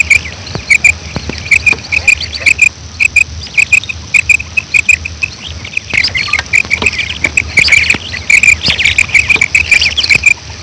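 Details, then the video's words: Female quail calling in the morning: short sharp notes repeated rapidly and unevenly at a high pitch through the whole stretch, with several overlapping callers and faint clicks behind. "Batair ki subha keliye awaz2025,quail sound,bater ki awaaz,madi batair ki kirk"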